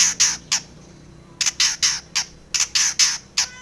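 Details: Female long-tailed shrike, morning lure for caged birds: harsh scratchy notes in clusters of two to four, separated by short silent gaps.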